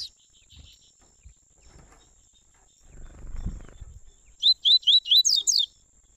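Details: Double-collared seedeaters, father and son, in a warm-up recording: a few faint chirps, then a quick burst of about seven sweeping high chirps near the end, over a soft low rumble and a steady thin whine.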